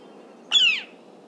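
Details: A Northern Flicker near Cincinnati, Ohio, gives one loud, harsh, downslurred call, a piercing 'kee-yer' that drops in pitch over about a third of a second, against a quiet background.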